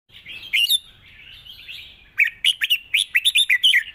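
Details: Red-whiskered bulbul delivering a long song with 'rik' notes, described as light-voiced and easy-singing: a soft warbling lead-in, then a rapid string of bright, bubbly whistled notes bouncing up and down, about four per second.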